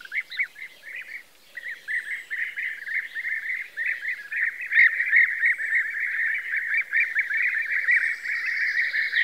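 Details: Several European bee-eaters calling together on the banks of the Loire, France, in May 2022: a steady stream of liquid, rolling 'prruip' notes, overlapping at a few notes each second, with a faint distant background.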